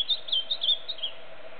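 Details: A wild ultramarine grosbeak (Cyanocompsa brissonii), singing free in nature, gives a quick run of high, sweet chirped notes over about a second, against a steady low background hum.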